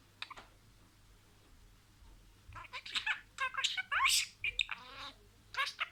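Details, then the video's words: Pet budgerigar imitating words: quiet start, then scratchy, high chatter with sharp rising squeaks and buzzy wavering notes in closely spaced bursts. "SIRALI KELİMELER, MUHABBETKUŞU SESİ,MUHABBETKUŞU KONUŞMA SESİ DİNLE"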